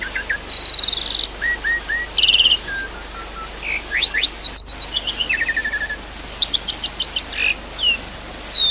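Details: Song of a Javan pied starling, played as a lure for a caged bird that has stopped singing: harsh buzzy bursts, short whistled notes, then fast series of high upswept chirps and a falling whistle.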